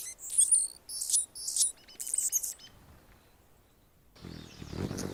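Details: Anna's hummingbird on a branch in Golden Gate Park, San Francisco, California: a few shrill, scratchy squeaks and a buzzy rasp, then quiet and a soft rustle of background noise.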